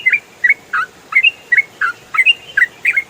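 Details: Ruddy-breasted crake calling for songbird training: clean, short two-note chirps rising and falling between mid and high pitch, repeated about once every half second with little background.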